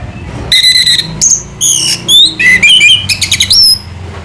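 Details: Orange-headed thrush, locally anis merah, slow 'selow' singing, Indonesia: varied loud whistled phrases, steady pure notes, upward slurs and downslurred twitters, closing with a rising whistle; faint low hum behind.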